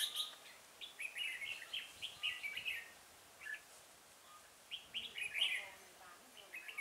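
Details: Red-whiskered bulbul at Chùa Hương, Vietnam, 5 March 2018, singing beside a decoy bird set for trapping; bubbly runs of chirpy whistles, a quiet middle stretch, then another bright burst.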